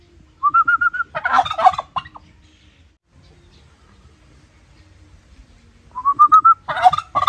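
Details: Turkey calling twice, several seconds apart. Each time a string of high, evenly spaced whistled notes climbs slightly and runs straight into a harsh, rolling gobble.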